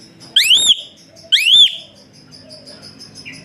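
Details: Asian pied starling whistle used as training song for other birds: two clear rising-and-falling whistles about a second apart, followed by quiet room background.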